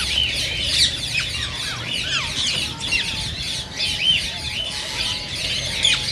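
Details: Many green ring-necked parakeets chattering at once, meant to stimulate singing and mating: dense, loud, high-pitched chirps and shrill rising-falling squeaks without pause.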